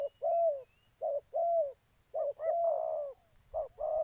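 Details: Trapping-decoy spotted dove in Gia Lai, Vietnam: soft low coos, short and long notes alternating, with one broader overlapping coo suggesting a second bird, over four seconds.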